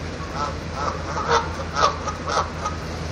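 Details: Honking geese up on a van roof, giving nasal honks about twice a second with uneven spacing, set against a constant low-pitched hum.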